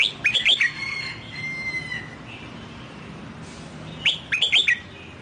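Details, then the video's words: A newly bought, wild-caught red-whiskered bulbul being trained sings in the Sông Kon style: two bursts of rich, bubbly whistled notes, rising and falling, separated by a steady thin whistle over quiet background hiss. "Chào Mào Bổi Mới Mua Về Hót Giọng Sông Kon"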